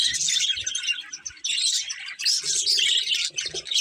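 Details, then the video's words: Colourful budgies chirping while eating: dense, overlapping high chirps and warbling chatter run almost without pause, with soft low knocks and rustles beneath. "Colourful Budgies Chirping Sounds"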